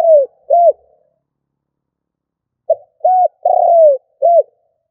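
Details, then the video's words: Spotted dove decoy bird in the stammering 'cà lăm' coo style: two arched coos, a pause of about two seconds, then a quick run of short notes with one long falling coo and a final arched note. "Cu gáy mồi gù cà lăm"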